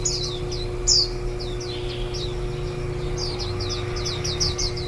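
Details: Warbling white-eye nest recording from 23 July 2018, on the last day before fledging after ten days of raising chicks. Rapid runs of thin, high, descending chirps cluster thickly near the end, with a low mechanical hum behind them.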